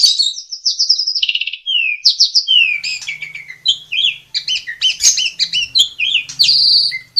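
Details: Asian pied starling (jalak suren) singing vigorously to train young birds. Varied warbled and whistled notes change quickly, mixing slurred phrases, sharp clicks and squeaky chatter with no pauses.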